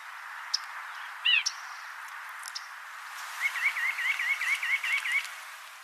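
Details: White-breasted nuthatch in a Sonoma County backyard giving a quick run of about nine nasal, goofy, kazoo-like notes, several per second, after a couple of earlier single notes; faint background hiss.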